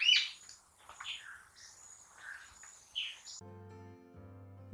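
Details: Rufous-tailed jacamar (Galbula ruficauda) call: several sharp, high, squeaky notes spaced over about three seconds, then a short burst of music.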